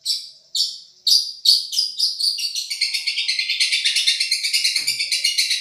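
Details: Long-tailed shrike from Madura in a tutoring song of champion quality: a few loud separated harsh notes, then a fast, steady run of high chattering notes building into a dense, continuous warble.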